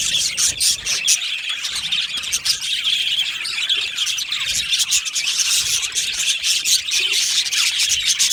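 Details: Aviary full of budgies, loud nonstop chirping and chattering, sharp tweets and scratchy squawks overlapping from many birds.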